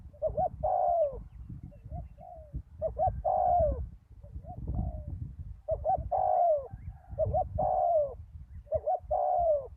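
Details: Spotted dove used as a decoy on a ground arena after a storm: repeated phrases of quick paired coos followed by a drawn-out falling note, spaced a few seconds apart, with low wind-like rumble beneath.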